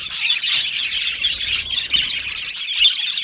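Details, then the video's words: Many Australian budgies chirp together in an aviary colony, a fast twittering chatter of high notes that thins slightly toward the end. "Australian Budgie parrot sounds | Budgie parrot chirping sounds"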